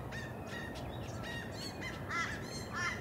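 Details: Australian magpie on the Sunshine Coast, Queensland, in June 2023: short warbled and fluting notes, some sliding downward, sung in a loose sequence over a constant low rumble of background noise.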